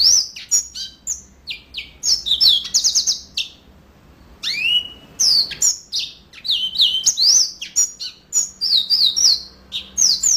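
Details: Yellow-fronted canary in full song, delivering bursts of shrill whistled slurs and chirps, a short quiet pause near the middle, then another dense, lively string of high twittering notes.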